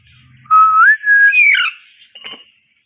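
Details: A pair of pet Indian ringneck parakeets: a loud steady whistle that steps upward, then a harsher, rasping chirp, with a faint low hum at the start.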